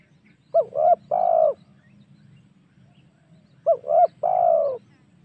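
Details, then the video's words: Tekukur (spotted dove) lure call used to excite wild doves for hunting. A three-part phrase of two short coos and a long descending coo is given twice, about three seconds apart. "SUARA PIKAT MEMANCING EMOSI SEMUA TEKUKUR//COCOK UNTUK BERBURU"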